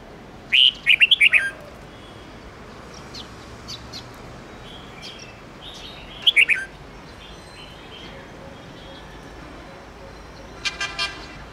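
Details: Old wild red-whiskered bulbul singing bright 10-12-13 note song, used to train young bulbuls. A loud phrase of rapid whistled notes comes first, then a shorter burst near the middle and a faint one at the end, over steady outdoor noise.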